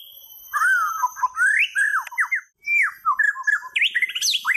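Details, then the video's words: White-rumped shama song of varied, rich whistled phrases, rising and falling slurs and warbles with a brief pause midway, ending in a high rising flourish. "صوت طائر الشامه - Rumped Shama Birds Singing"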